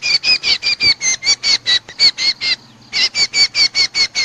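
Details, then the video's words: Bird trappers' playback lure for cucak combo, the Common Iora: a steady string of loud, harsh, buzzy notes about two or three per second, a brief break, then the series resumes. "suara pikat cucak combo/kecial combo paling ampuh"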